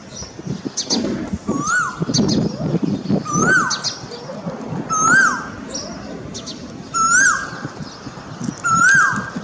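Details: An Asian koel sits in a pilkan tree in front of a house in Delhi and sings five clear, rising 'ko-el' notes, one about every two seconds, over high chirping from other birds and a low background rumble.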